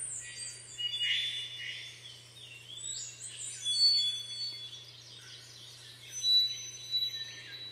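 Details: An unseen black-faced solitaire in western Panama's mountain cloud forest harmonizes with itself using both syrinxes: high, flute-like whistled phrases with two notes together, each phrase slightly different, several in eight seconds; low steady hum underneath.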